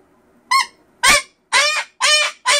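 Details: Pet cockatoo screaming loudly indoors in a crazy mood while its owner scolds it: five loud, harsh, honking screeches with rich harmonics, spaced roughly half a second apart, each short and abrupt.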